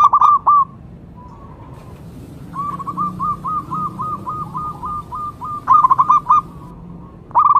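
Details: Local zebra dove calling for luring and to spur others to sing. Loud rolling bursts come at the start, middle and end, with a faint even series of about twelve notes in between.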